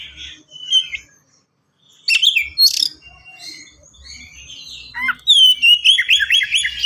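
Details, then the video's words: White-rumped shama in fast, dense song used to tutor other birds: short whistled notes, a pause, then loud sharp bursts and a run of repeated falling whistles at the end. "KACER GACOR SPEED RAPAT FULL ISIAN AMPUH UNTUK PANCINGAN BURUNG BAHAN"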